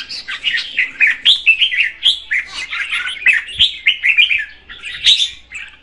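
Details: A female red-whiskered bulbul sings to stimulate the male, giving a steady chain of short chirped and warbled notes in rhythmic pulses, with an occasional faint click.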